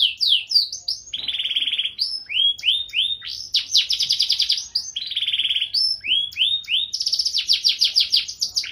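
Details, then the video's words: Canary song in gacor, cengkok mewah manner: alternating buzzy rolled trills and bursts of steep descending chirps, repeated in long varied phrases, loud and high. "Suara Burung Kenari Gacor cengkok mewah"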